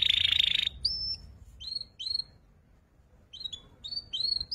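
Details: Young canary practising ngeriwik twittering: a short buzzy trill opens, then scattered pairs of bright downslurred whistled notes separated by quiet gaps.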